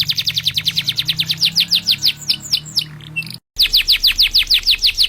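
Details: A 'gacor' canary used as a training master song: rapid repeated down-slurred notes form a continuous rolling trill, briefly cut by a short silent gap, with a faint low hum beneath.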